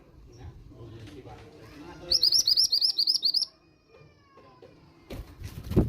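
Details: A calling female mountain bushchat, used to coax young males into singing, gives a single run of about ten quick, high, rising-and-falling chirps lasting just over a second, followed by quiet and a brief knock.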